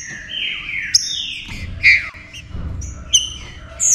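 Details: Green-winged saltator song used to warm up and excite other saltators, with picharro, estevo and pantaneiro styles mentioned: loud overlapping whistled phrases sliding downward, sharp bright notes, several phrases in under four seconds, low background rumble.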